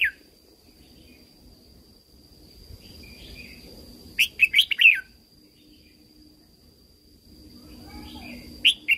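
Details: Caged red-whiskered bulbul from Thailand singing a training song: one loud burst of four clipped, liquid notes mid-clip, a brief note at the start and end, quiet hum and low background noise otherwise.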